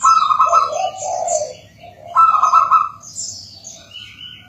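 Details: Zebra dove singing, played to help local birds start singing: two bursts of bubbling, rolling coos about two seconds apart, overlaid by busy high twittering from small birds.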